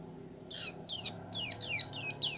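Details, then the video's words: Oriental white-eye, song meant to prompt other white-eyes to sing: six short high descending chirps spaced roughly every third of a second, with a faint low hum and steady high tone behind. "PLECI BUKA PARUH cepat merangsang pleci agar ikut buka paruh."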